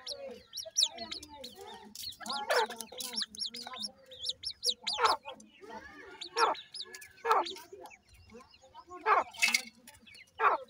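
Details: A grey francolin family, adult with chicks: dense, continuous high peeping in short falling notes, mixed with repeated harsh clucking bursts every second or so, lively and overlapping.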